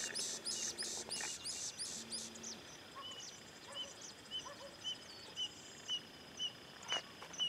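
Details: Canarinho tipiu, also called canário-do-brejo, singing: short clear high notes repeated about every half second, preceded by loud buzzy bursts from another bird, with background hiss.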